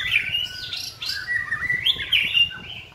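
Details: White-rumped shama in song training gives a continuous warbling phrase of clear whistled notes that slide and wobble, rising near the end, over faint low noise.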